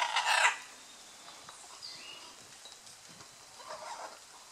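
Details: Scarlet macaws during a courtship display at Playa Blanca, La Palma, Osa Peninsula, Costa Rica: one loud, harsh, broadband squawk lasting about half a second, then fainter rasping calls in the background.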